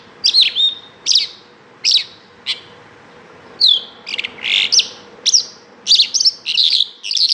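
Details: Bimaculated lark song made of sharp, high downslurred chirps repeated roughly every three-quarters of a second, mixed with some buzzier notes, against a quiet background with a faint steady hum.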